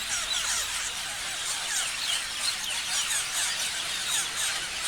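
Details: Many parrots chirping at once, a thick tangle of shrill squeaks and quick downslurred notes, with occasional brighter whistles poking through.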